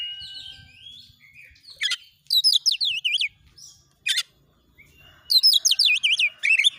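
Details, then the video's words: Oriental magpie-robin (kacer) training recording, a persistent rapid 'nembak' song meant as lure material to get other magpie-robins singing; bursts of loud, looping whistled notes in quick series, separated by quieter scattered chirps. "masteran Kacer NGOTOT NEMBAK MATERI PANCING CEPAT KACER IKUT NGOBRA NARUNG"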